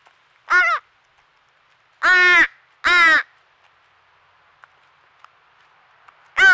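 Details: Baby crow begging nonstop at a squirrel feeder in Nova Scotia, Canada: loud harsh caws, one short, then a close pair, a long gap with faint clicks, and a final caw.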